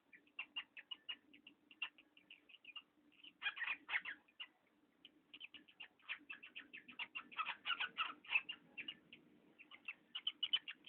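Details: Parrot squeaking indoors: a long series of short, high, creaky squeaks with occasional louder grating bursts, over a faint steady low hum.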